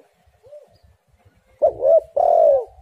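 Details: Spotted dove coos, played as a lure so doves start singing. A faint soft coo comes first, then two loud, low, throaty coos in quick succession, the second longer and sliding downward.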